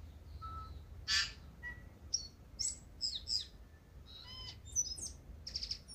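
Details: Pre-dawn Tūī in Manawatū, New Zealand, just woken: a busy run of mixed notes, harsh wheezy bursts, clear whistles, sliding high chirps and clicks, several per second in places, in a quiet morning.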